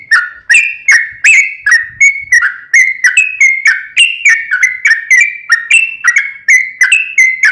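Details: Sooty-headed bulbul singing continuous 'ropel panjang' gacor song, played to provoke another bird into replying. Dense string of clear whistled notes, each starting with a sharp click, about three per second, pitch stepping up and down. Faint low rumble early on.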